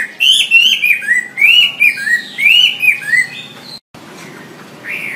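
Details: Wambi singing, used as master material for training songbirds: rich, warbling whistles sliding up and down in quick connected phrases, a brief break, then one more softer whistled note.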